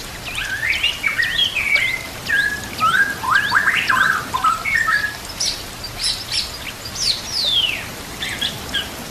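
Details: White-rumped shama singing, a recording meant for training other shamas, with nature sounds and trickling water: varied rich whistles and sharp rising and falling notes between one and four kilohertz-range pitch, then higher thin swept phrases, over steady background hiss.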